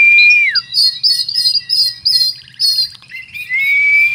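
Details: Oriental magpie-robin singing cricket-filled song: a clear drawn-out whistle sliding down, then a rhythmic run of bright buzzy double notes about four per second, ending with another long pure whistle.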